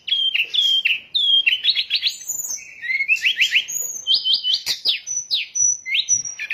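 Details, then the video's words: Sooty-headed bulbul song used as a trapping lure: clear whistled notes alternating with quick rising triplet phrases, repeated through the passage, with sharper high chirps from other birds overlapping. "SUARA PIKAT BURUNG SRDC"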